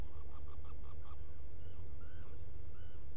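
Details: Black Guillemot at its nest burrow on Seal Island NWR, Maine, recorded at dawn on 18 June 2018 by a burrow camera: a quick run of six short clipped notes, then three drawn-out slurred whistles, over a steady low hum.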